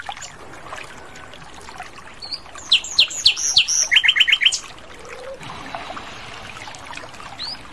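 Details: Asian brown flycatcher singing actively in the wild: a mid-section of sharp, high, downslurred notes and a fast run of repeated chips, surrounded by quiet natural background.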